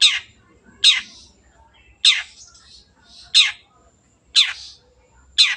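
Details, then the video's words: Long-tailed shrike singing as a lure for birds that have stopped singing; loud rasping downslurred notes spaced about one second apart, with soft chatter and a low rumble underneath. "CENDET GACOR PANCINGAN MENGATASI BURUNG MACET ATAU BAHAN AGAR RAJIN BUNYI"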